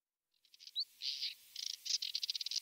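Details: Moussier's redstart singing a quick, high-pitched scratchy twitter. Short chirps and a rising slurred note lead into a burst of rapid, rattling notes, in a quiet setting.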